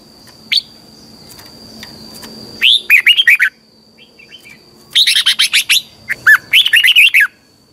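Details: Lure song of a red-whiskered bulbul for training birds, morning song in the twisting double-voice style. Several rapid bursts of looping, chirpy warbled notes arrive in clusters, accompanied by a steady thin high-pitched tone and a single earlier note.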